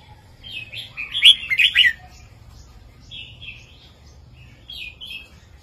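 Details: Red-whiskered bulbul master song in the southern 3-4-5 style, played to stimulate caged birds: a loud burst of bright, warbled, chirpy notes, then softer whistled phrases with pauses between them.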